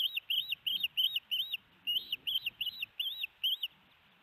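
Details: Hellgate osprey nest, 4:30 pm MDT on 13 June 2018, with a big fish being brought in: loud, high, rising-falling whistled chirps in an uneven series, a pause near the middle, then a quiet close with soft background rumble.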